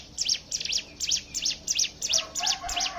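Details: Close, crisp Hill prinia chips, each a quick high down-and-up stroke, about three per second. A low, faint whistle appears near the end. The song is used as a lure for other singing birds.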